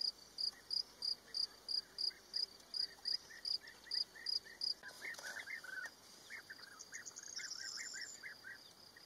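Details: Small colony of European bee-eaters at Rusenski Lom in early May, courting and nesting and crowding for spots on the wall: a steady high pulsing cricket at first, then bursts of short rolling bee-eater calls overlapping from several birds.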